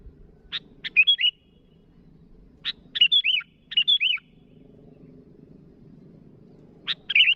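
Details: Sooty-headed bulbul calling to rivals: a sharp dry chip followed by bright, bubbly whistled phrases rising and falling, repeated in short bursts with pauses between, over a faint low hum.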